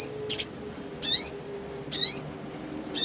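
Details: Black sunbird (sogon) in excited ngleper song, used as a lure for silent birds. Thin, very high zip notes with a rising twist come roughly once a second, with faint short whistles between them.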